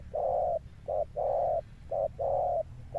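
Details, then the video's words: Deep-voiced male spotted dove, prized for its thunder-like coo. Two short hoots alternate with two long, smooth, hollow notes in a measured pattern, with a low hum underneath. "Cọp Đẹp Như Tranh, Gù Âm Sấm_ Nước Tiền Bổi kèm dậm nghe chỉ có phê. Gù Hậu Bền Bỉ"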